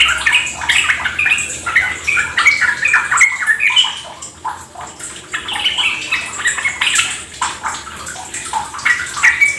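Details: Yellow-vented Bulbul, a kept songbird, in a rapid 'ropel' chattering song used as a lure to make other birds sing along: dense bursts of short squeaky, warbling notes, tumbling continuously, over a steady splashing of water.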